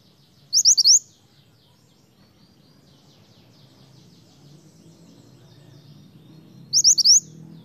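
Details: Snowy-browed flycatcher vigorous lure song for wild birds: two identical short phrases of four sharp, rising, high whistles, about six seconds apart, with a low hum in between.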